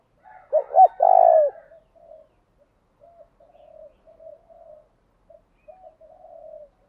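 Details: A spotted dove gives a lure call to provoke rival birds: one loud phrase of stuttered notes and a long falling coo, followed by a string of quiet low murmurs.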